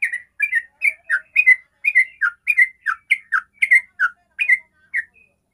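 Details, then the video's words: Sooty-headed bulbul singing 'ropel', a rapid song meant to lure other bulbuls to sing. Steady, bouncy series of bright two-part whistled notes, roughly three every second, runs throughout. "pancingan suara Trucukan ropel"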